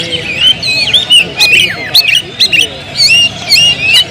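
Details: Oriental magpie-robin kept at home delivers quick, varied whistled phrases, sweeping slurs and short chips, coming roughly twice a second in an irregular, lively pattern over a soft low hum.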